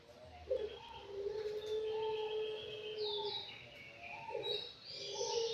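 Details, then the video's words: Five-month-old imperial pigeon kept in an aviary, giving long, low, steady hooting coos, with a break partway through before they resume, while higher chirps and whistles from other birds sound in the background. "BURUNG ANGGUNGAN USIA 5 BULAN"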